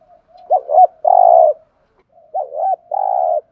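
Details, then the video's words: Decoy spotted dove cooing to stimulate other doves. Two identical phrases about two seconds apart, each a rolling double coo and then a drawn-out, slightly vibrating low note, over silence. "tho pha thuc gu mồi 5 củ/ tiếng chim cu gáy kích bổi"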